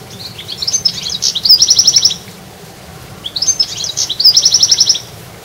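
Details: Two matching phrases of goldfinch song in a garden, each a quick tinkling twitter running into a rapid, evenly pulsed buzzy trill, separated by about a second of quiet.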